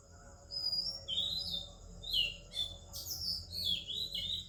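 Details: Oriental magpie-robin singing in the morning in India alongside other birds: a lively string of clear whistles, some long and slurred, others short and chirpy, in quick succession over soft low background noise.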